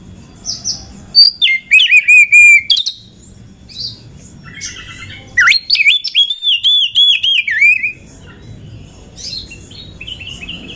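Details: Female Oriental magpie-robin used as a lure to raise other magpie-robins' excitement and prompt males to sing. Two loud bursts of rich whistled and scratchy phrases with sliding and stuttered notes, each about two seconds long, separated by a pause, over a faint low hum.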